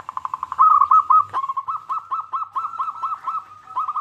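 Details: Lively local zebra dove song meant to prompt other zebra doves to sing: fast stuttering notes give way to a clear train of bouncy rolled coos, about three per second, each slightly rising then falling.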